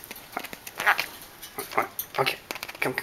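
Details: A pet lory chatters back indoors in short, scratchy bursts and squawks, several per second, arguing with its owner, who says it tells them to shut up, while the owner talks to it.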